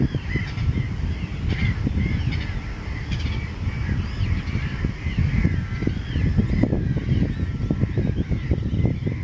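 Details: Mediterranean gull colony on a raft on the Loire at Montjean-sur-Loire, Maine-et-Loire, France, 3 July 2013, with at least 104 chicks, among Black-headed Gulls and Common Terns: nasal, rising-and-falling yelps calling over one another, heavy low wind rumble underneath.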